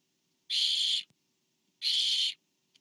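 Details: Barn owl at a nest cam, 24 September 2015, while a parent delivers to the fourth owlet; two loud, breathy hissing screeches of about half a second, roughly 1.3 seconds apart, with faint clicks between.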